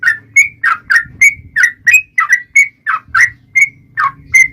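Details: Yellow-vented bulbul in continuous 'gacor' song meant to make other bulbuls sing back: bright whistled notes, some dipping, some rising, repeated about three times a second with a soft low hum underneath.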